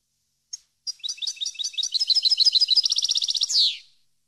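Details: Goldfinch song for teaching captive birds: a few thin opening notes build into an accelerating stream of bright twitters and a fast even trill, finishing with a harsh descending buzz.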